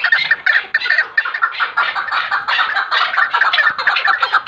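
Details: Chukar partridge calling: a dense, rapid run of harsh clucking 'chuk' notes, about two per second, overlapping and uneven, as if several birds call together.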